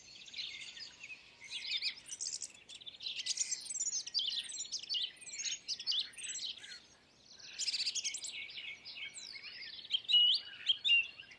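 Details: Outdoor bird chorus of bright, high chirps and twittering phrases, coming in lively bursts with short pauses, the notes sliding up and down; a few louder sharp tweets stand out near the end.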